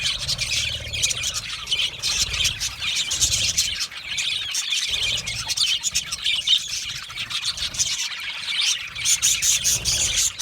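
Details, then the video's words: Budgerigar colony, birds happy and comfortable, chirping and chattering together; a continuous wash of high squeaky warbles and chirps with frequent sharp clicking bursts, several birds overlapping throughout. "Australian Budgie singing sounds | Australian Budgie chirping sounds"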